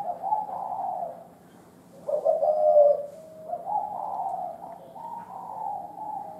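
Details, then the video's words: Old wild local spotted dove giving a sequence of soft, throaty coos. The phrases are grouped, with a louder, wavering middle section and steady repeated notes at the end. The recording is quiet apart from a low hum. "cu gáy thổ đồng già rừng"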